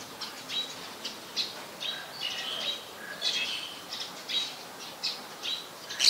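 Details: Black-collared Starling recorded at Ubon Ratchathani, Thailand, on 26 March 2021: a series of harsh, scratchy squawks and chattering notes in short bursts roughly every half second to second, high-pitched with brief whistled tones mixed in.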